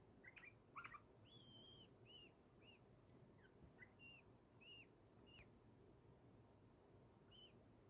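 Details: Pet bulbul chirping happily: a few brisk chirps open, then softer arched whistles repeated at irregular intervals, fading to quiet, with one sharp click partway through.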